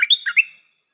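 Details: Half-second fragment of stripe-throated bulbul song from a decoy bird: a quick run of bright, slurred notes ending in a short fading trail, nothing else audible.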